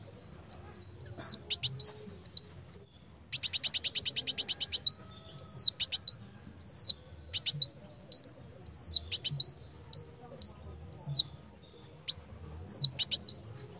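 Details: Purple-throated sunbird (Leptocoma sperata) singing in a training recording: very high, thin, sharp descending notes in quick bursts, with one fast buzzy trill in the middle.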